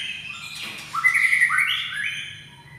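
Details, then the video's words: White-rumped shama from Medan sings for luring other birds, with clear upslurred whistles stepping higher in a short flowing phrase above steady low background noise. "Murai Batu Medan Gacor cocok buat pancingan"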